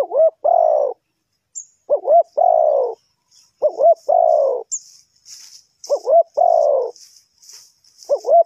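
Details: Spotted dove calling as a lure for trapping wild birds: a repeated phrase of two short upswept notes and one long descending coo, given about every two seconds, four full phrases, with light high chirps behind.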